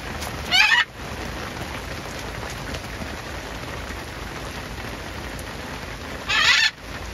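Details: A macaw out in the rain, getting a shower, gives two loud, harsh, raspy squawks about six seconds apart over a steady hiss of falling rain.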